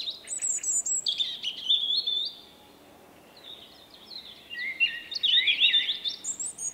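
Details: Common blackbird male singing his own unusual 'vuippi-vu' song in March 2024. High squeaky notes lead into a fluty phrase, a quiet gap, then a tangled twittering burst.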